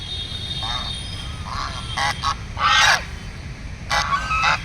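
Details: Ducks giving several harsh, nasal honking quacks in quick bursts, some overlapping, over a steady background hum with faint higher tones.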